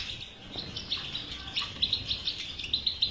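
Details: European goldfinch batbata-style twittering song, used to stimulate a silent goldfinch to sing: bright, high chirps repeated roughly once a second, growing louder toward the end, over faint low background noise.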